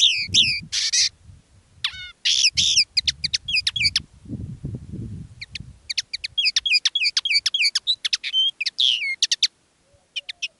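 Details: Decoy common linnet singing live in its own style: rich twittering bursts and long runs of sharp chirps, then a pause, over faint low rumble.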